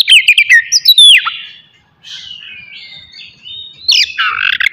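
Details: Oriental magpie-robin (kacer) morning song used to stir aggression and breeding urge in other birds; bright sliding whistles and quick chirps, a softer warbled passage, then renewed loud twittering.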